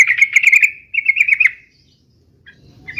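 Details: Two quick bursts of bubbly, rolling chatter from a yellow-vented bulbul singing its 'uplik uplik' fighting style, each about half a second, followed by near silence and a faint final note.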